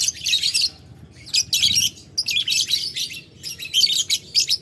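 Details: Lovebird calling a rival with ngetik ngekek, a ticking and long chattering style; a rival lovebird answers. Dense, shrill, high chattering bursts under a second long, separated by short silent gaps.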